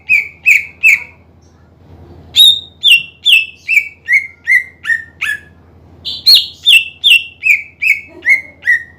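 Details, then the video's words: Loud greater green leafbird song meant to anger rival birds into singing, with fast bursts of sharp whistles, each series starting high and descending step by step, about two and a half notes per second, separated by brief quiet gaps. "PANCINGAN CUCAK IJO GACOR MEMANCING EMOSI LAWAN AGAR RAJIN BUNYI"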